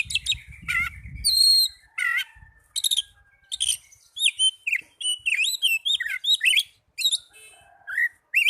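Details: Young Oriental magpie-robin opening with buzzy notes and a high whistle over a brief low rumble, then breaking into a lively, fast sequence of looping whistles and sharp chips.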